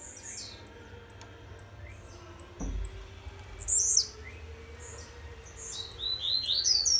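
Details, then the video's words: Young blue-black grassquit from Jacarepaguá, Rio de Janeiro, singing slowly in the rasante style: a series of thin, high ticks, then buzzy, downslurred high phrases near four and six seconds, over a low steady hum. "Tiziu RASANTE"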